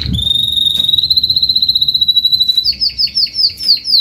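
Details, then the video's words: Adult Spanish Timbrado canary, a Belgian canary of the Spanish breed, singing in salsa style: a long, steady, pure whistled tone held for over two seconds, then a rolled series of quick rising notes repeated about four times per second. "CANTO CANÁRIO SALSA ESPANHOL/ESPANHOLINHA"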